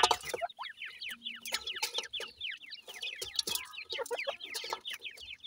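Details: Sindhi grey francolin chicks at feeding, a busy chorus of quick, high, downward-sliding peeps repeated without pause, with pecking clicks and a brief low hum in the background.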